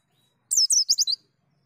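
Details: White-eye in full song in the ngalas, nembak and ngriwik styles: one short burst of five quick, very high, sweeping whistled notes in under a second, with clean silence before and after.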